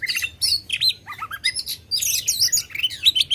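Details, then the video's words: Loud Oriental magpie-robin song meant to rouse competition birds: dense, high, rapidly varied whistles and chirps, a dip into lower slurred notes around one second, then busy piercing phrases. "kacer gacor ngobra suara lantang ampuh buat pancing emosi kacer kontes"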